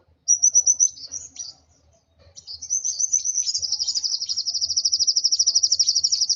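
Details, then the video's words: Agitated kolibri wulung sunbird: a short run of high, thin chirps, a pause, then a long rapid buzzy trill of sharp repeated notes, very high-pitched throughout, with faint low thumping underneath. "Burung Kolibri Wulung Emosi Sampai ke Ubun Ubun.."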